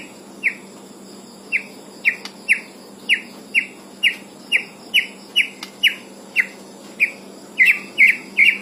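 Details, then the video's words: White-rumped shama released from its cage, giving short sharp rising chip notes roughly every half second to second, some doubled near the end, against constant electrical hum and hiss. "EDISI LEPAS KANDANG MURAI BATU ISIAN PENUH MANTAP"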